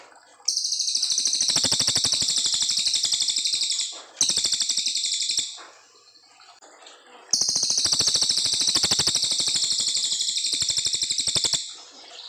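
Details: Brown fulvetta tutor song for young white-rumped shamas, in long 'nembak' bursts: three piercing, rapidly pulsed high trills of three to four seconds each, broken by short quiet gaps.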